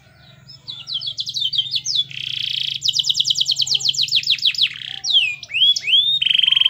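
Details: Prolific canary song for prompting other canaries: scattered chips build to a quick trill, a buzzy burst, then a long fast series of descending slurs, followed by swooping whistles and a rapid rattle, over low hum.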